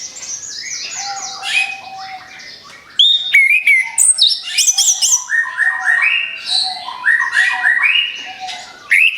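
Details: Orange-headed thrush song played as a lure for other birds: softer repeated whistled phrases for three seconds, then a loud burst of rich varied chirps, slurs and whistles continuing in rapid succession.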